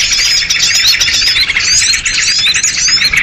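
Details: Noisy excited chatter of sooty-headed bulbuls, the kutilang ribut lure sound for catching small birds: a continuous packed mass of high chirps overlaid with thin slurred whistles, no pauses.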